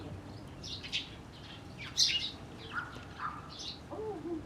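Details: Eurasian tree sparrows recorded on 4 February 2012, giving a scatter of sharp high chirps, some in quick pairs, with a few lower, flatter notes late on over a soft background hiss.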